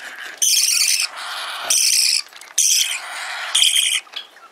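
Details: Parakeet chick feeding and calling: four drawn-out raspy, hissing screeches, each lasting over half a second, with short gaps of faint scratchy sound between them.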